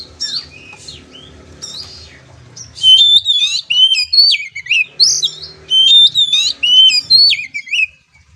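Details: Oriental magpie-robin, a kept songbird, singing loud varied whistled and buzzy phrases in bursts from about three seconds on, each phrase sweeping and warbling, after quieter opening notes over a low hum.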